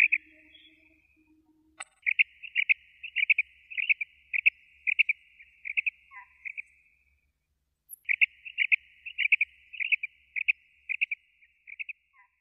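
A female quail gives a fast series of short, high chirping notes in two bursts of several seconds each, with a brief pause between them.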